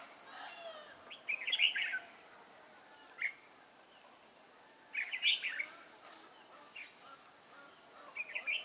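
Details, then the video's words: Caged red-whiskered bulbul used as a beginner decoy for trapping wild birds, 11 December 2016; three bright, bubbly warbled bursts spaced a few seconds apart over quiet background hiss. "Bẫy chào mào Mồi tập sự ra trận"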